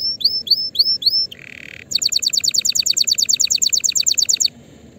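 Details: Song of a canary meant to teach young birds before the next season: a few clipped upward-curving whistles, a short low buzz, then a long fast rattle of sharp repeated notes.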